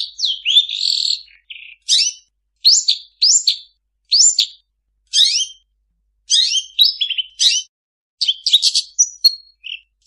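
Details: Long-tailed shrike delivering a mimicking song of quick upslurred whistles and chirp clusters, each burst roughly a second long and separated by short silences, all high-pitched and clean.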